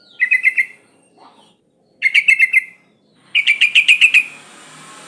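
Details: Sooty-headed bulbul female in breeding condition calling for males, giving three chattering bursts of quick, liquid notes spaced roughly two seconds apart, the last burst longer and louder, with faint background hiss.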